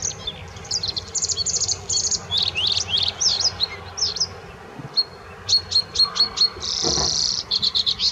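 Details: Bluethroat singing at the Offstein clarification ponds, a loud varied song mixing buzzy rattles, sharp clicking notes and whistles, ending in fast repeated ticks and a dense buzz.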